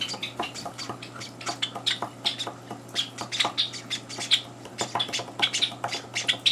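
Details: Young Java sparrows, three days after arriving in a home, clamour for food at breakfast while older birds interfere. Dense, overlapping high chirps and squeaks follow in a restless, uneven stream.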